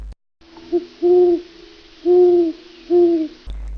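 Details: Short-eared owl giving three low, hollow hoots, each under half a second, spaced about a second apart, over a faint steady hiss and hum.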